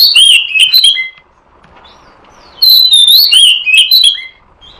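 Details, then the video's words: Oriental magpie-robin lure sound, used to attract and trap the bird: two loud bursts of clear, rapid whistled and warbling notes, each lasting about a second, sliding up and down, separated by a quiet gap. "Suara Pikat Burung Kacer"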